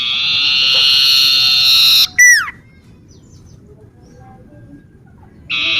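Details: Common iora heard in a garden near home, singing vigorously: a long, loud, harsh buzzing chatter of about two seconds, then a quick sharply falling whistle, followed by quiet.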